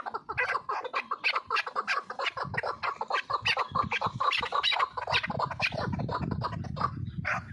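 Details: Chukar partridge calling in a rapid, steady series of clucking notes, with a low rumbling background that swells in the last seconds.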